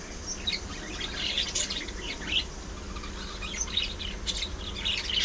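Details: Budgies, a group of playful pet parakeets, chatter softly in clusters of high, thin chirps and warbled squeaks separated by short gaps, with steady low background noise.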